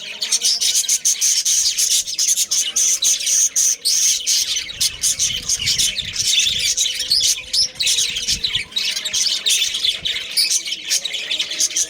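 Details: Budgies in a breeding colony with pairs and families: steady, crowded warbling chatter of high chirps and squawks, unbroken for the whole stretch, many birds together.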